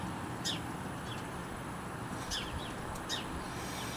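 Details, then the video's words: House sparrows giving distress calls after a sparrowhawk kill in a Grimsby garden, the hawk perched on a hedge, on a windy, rainy day: sharp, high chirps, four or five scattered over a few seconds, over steady rushing hiss. "Now you can hear the sparrows giving distress calls out."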